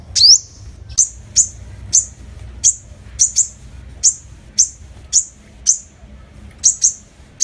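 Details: Repeated sunbird lure call: about a dozen short, piercing high chirps, some slurred upward, delivered at uneven intervals of about half a second to one second, with quiet low background noise.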